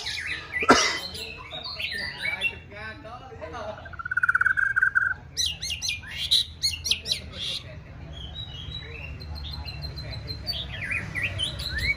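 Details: White-rumped shama in its fourth season, being trained for a singing contest; a varied song of chattering notes, a buzzy trill and high whistled phrases, with a low hum in the background.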